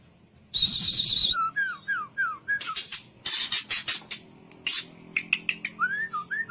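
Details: White-rumped shama song for training other birds, cililin style: a high buzzy trill opens, then a series of clear slurred whistles, scratchy bursts and rising whistled notes.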